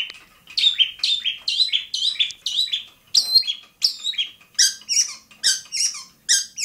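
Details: Long-tailed shrike song from Bobotsari. Short, sharp high notes repeat about every half second, growing harsher and more buzzy toward the end.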